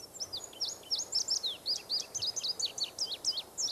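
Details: Indigo bunting singing in a forest: a fast, bright run of high, sharply falling chirps, many notes in quick succession, with soft background hiss.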